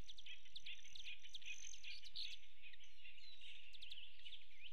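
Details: A male Black-chinned Hummingbird hovers over a nectar feeder port in the mountains near Fort Davis, West Texas, on 8 June 2017. It gives quick, high, thin chips in loose overlapping bursts over a steady low hum.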